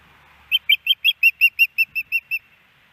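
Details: Female osprey at a nest in Hellgate Canyon, Missoula, Montana, on 10 September 2018, begging her mate for fish: a series of eleven clear, high whistled chirps, about five per second, the first few slightly slurred and doubled.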